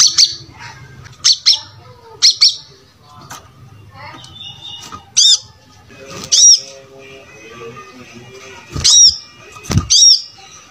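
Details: Brown-throated sunbird singing vigorously, used as a master recording to train other birds to sing quickly: sharp, high chirps and short bright notes in separate bursts, several quick notes repeated near the end, with faint low background noise.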